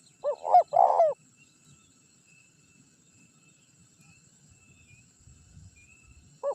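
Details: Spotted dove decoy call for attracting wild rivals; one husky phrase of short coos ending in a rolling note at the start, then a long quiet gap with faint low rumbles before another coo begins.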